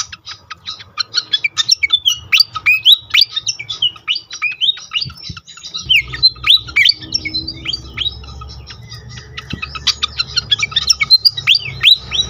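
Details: Pied fantail song meant to provoke other fantails into singing: a continuous stream of sharp, squeaky, sweeping chirps and twitters over a steady low mechanical hum that grows louder halfway through.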